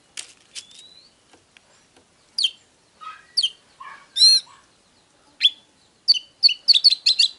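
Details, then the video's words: Oriental magpie-robin song to excite a male: scattered thin notes, a few rough buzzy calls and a harmonic squeal, building to a rapid string of sharp descending whistles at the end. "Chòe than HÓT"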